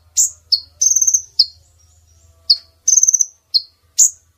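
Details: Female brown-throated sunbird lure call for attracting males into nets: a sharp chip, then two fast stuttering trills separated by single shrill falling notes, over a steady low-pitched hum.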